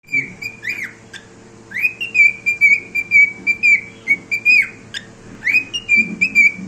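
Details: Pet cockatiel singing a whistled song: long steady notes near one pitch, with swoops up at the starts and dips down at the ends of phrases, pulsing in short beats about twice a second, with faint low background hum.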